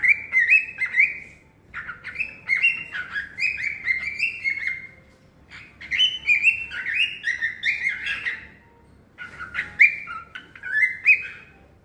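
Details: Cockatiel (Nymphicus hollandicus), song.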